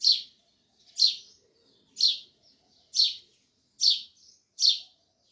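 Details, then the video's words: Steady sparrow chirping: six loud, clipped cheeps repeated roughly once a second, with faint softer notes between them. "Sparrows Loud Chirping Sounds"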